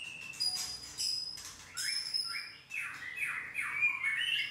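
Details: Song of a white-rumped shama mixing thin high whistles and scratchy, squawk-like bursts with descending slurred notes, followed by a run of fluty rising and falling whistles; faint low hum throughout.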